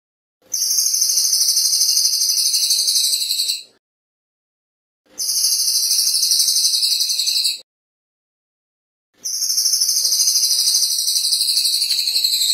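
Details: Cililin singing clear, rapid, very high buzzing trills in three long bursts of about three seconds each, with short silent gaps between them and no other sounds.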